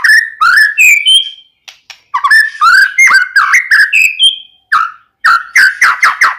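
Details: Song of a white-rumped shama, played to make another shama sing: continuous sequence of mellow warbling whistles and slurs mixed with sharp clicks, varied and musical, with short gaps.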